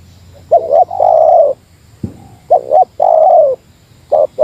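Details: Spotted dove giving a Meratus-style lure call against a rival: stuttered double note then a long mellow coo, repeated, with a brief low thump between phrases and another phrase beginning at the end.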